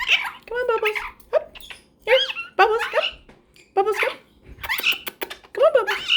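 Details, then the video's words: Caged pet cockatiel and superb parrot talking to each other before bed indoors: bursts of harmonic, slurred chirps and squeaky warbles roughly every second, some rising and falling, with a person's voice and laughter nearby in a small room. "Cockatiel and Superb Parrot's Cute Conversation"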